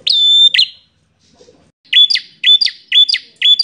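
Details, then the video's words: Bar-winged prinia (prenjak) in combative, emotional singing: a long whistled note, a pause, then quick repeated click-and-whistle phrases about twice a second, piercing and high. "Prenjak Petarung Gacor Emosian"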